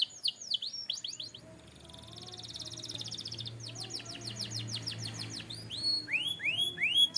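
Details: Canary (Serinus canaria), song.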